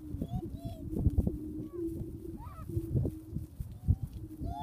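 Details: Prairie chickens booming: a low, steady hooting hum runs almost unbroken, overlaid by short higher whoops, rising cackles and scattered low thuds in an open outdoor setting.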